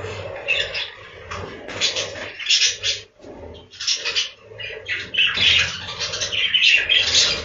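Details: A room full of breeding budgerigars gives a restless mix of squawks, chirps and rasping warbles, rising and falling in uneven waves, with a brief lull near the middle and possible wing flutters.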